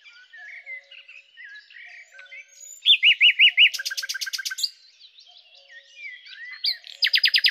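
A common nightingale sings a varied phrase: soft whistles, then a loud run of four rich notes, a fast rattling burst, and a closing rapid trill.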